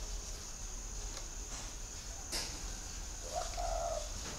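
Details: A single soft coo from a spotted dove near the end, low and hollow, after a sharp tap. A constant high-pitched insect hum fills the background.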